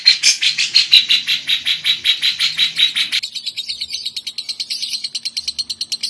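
A female lovebird chatters in a fast, shrill run of chirps, about three per second, that quickens into finer, higher trills after three seconds.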